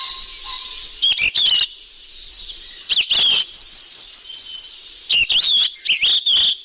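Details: Noisy sikatan emas flycatcher lure: clusters of shrill whistles and scratchy broadband bursts repeated roughly every two seconds, with a faint low whistle at the start and steady hiss throughout.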